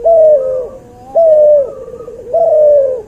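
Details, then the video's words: Cuhu, a crossbred dove from an albino white puter and a puter pelung, as training material: three sustained mellow coos, each followed by a softer lower trailing note, about one per second. "MASTERAN BURUNG CUHU HASIL SILANGAN PUTER ALBINO PUTIH VS PUTER PELUNG"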